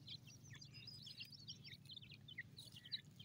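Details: Francolin chicks feeding in a forest produce a steady stream of soft, high chirps and short whistled notes from several birds over a low rumbling hum.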